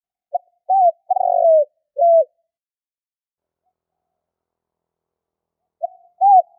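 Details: Spotted dove call used as a hunting lure: short cooing notes, a brief note then a longer trilled coo and a clipped note, repeated after a silent gap of several seconds, clean with no background.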